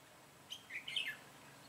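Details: Red-whiskered bulbul used as a decoy in trapping, luring wild bulbuls, recorded 22 September 2017; one brief bright phrase of quick chirped, warbled notes lasting about half a second over a quiet background.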